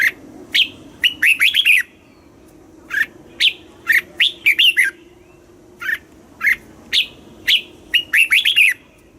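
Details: Thai caged red-whiskered bulbul song in the southern master style, meant to excite caged birds and teach young birds: almost continuous bright, liquid whistled phrases, short notes and fast descending clusters repeating every second or so.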